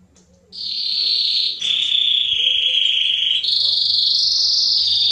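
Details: Mosaic canary singing to encourage mating and teach chicks: after a quiet start, sustained rolling trills step down in pitch, then rise again for the final phrase.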